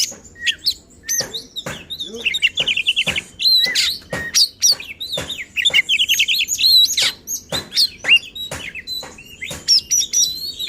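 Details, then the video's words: Oriental magpie-robin delivering fierce, energetic song to provoke rivals: sharp clicking notes, fast buzzy trills and rising whistled slurs repeated in a dense, restless sequence. "Burung Kacer Gacor Ngotot dan Emosi Suara Menggila Bongkar Isian."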